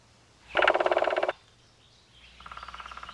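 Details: Great spotted woodpecker drums on wood to attract a mate, knocking over 10 times a second in a rapid roll, then a second, softer roll follows.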